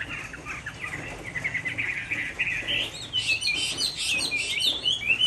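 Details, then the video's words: On a rainy afternoon in Hai Phong, Vietnam, a caged Chinese hwamei sings softer whistled slurs that grow into brighter, higher sweeping notes toward the end. "Họa mi hót chiều mưa"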